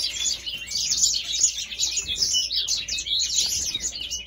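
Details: Grey singer, known as the African singer, pouring out a continuous, dense, high-pitched warble of rapid chirps and trills without pauses.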